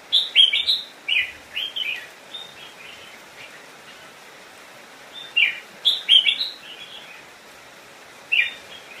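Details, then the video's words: Singing decoy red-whiskered bulbul luring wild birds to come and fight: clusters of loud, rapid, warbling whistles at the start, again around six seconds and near the end, with quieter notes in between. "Chào Mào Mồi Hót Gọi Bổi Về Đấu"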